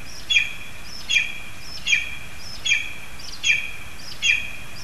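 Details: At a spruce nest in Zemgale, Latvia, lesser spotted eagles call as a frog is brought for the young: six short, sharp yelping notes repeated evenly about every 0.8 seconds against constant low rushing noise.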